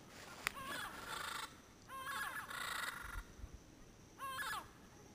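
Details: A pair of endangered yellow-headed amazons calls from Caribbean pines at sunset in Payne's Creek National Park, Belize, in late January 2012, about 100 yards away. They give harsh, raspy, nasal squawks in three bursts about two seconds apart; mosquitoes are audible.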